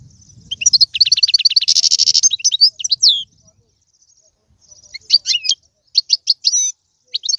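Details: Goldfinch singing Algerian tiwawati, galoubi and serfati style song: fast chirps leading into a buzzy trill, a quiet gap, then spaced bursts of high twitters.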